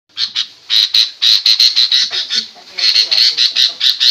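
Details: Sooty-headed bulbul, a female giving noisy calls said to make other birds angry and answer aggressively: harsh, scratchy chattering bursts repeated in quick runs, some closely packed, with short pauses between groups.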